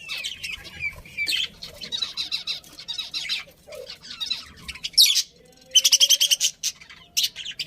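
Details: Happy budgerigars in a colony: scratchy warbling chatter and squawky chirps, then a run of rapid, evenly spaced loud chirps near the end, with a thin whistle in the background.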